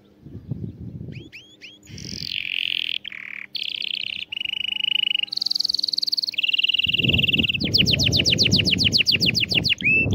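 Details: Canary song used to teach young birds to sing: a varied sequence of pure whistled tones, buzzy trills and fast repeated notes, changing every second or so, over low rumbling background noise.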